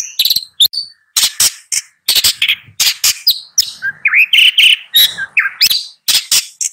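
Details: Long-tailed shrike song of rough chattering notes, shifting midway into a series of lower rising whistles before the harsh notes return.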